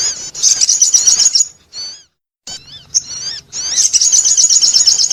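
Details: Rapid shrill trill from a sogon bird used for attracting, a short pause, a few arched whistles, then the quick high trill again.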